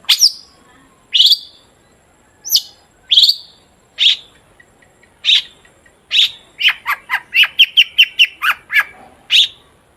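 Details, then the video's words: Long-tailed shrike, used to lure shrikes into song: single sharp downslurred chirps about a second apart, speeding into a fast stuttering run of high notes near the end. "Burung cendet gacor DOR BUAT PANCINGAN CENDET AGAR BUNYI"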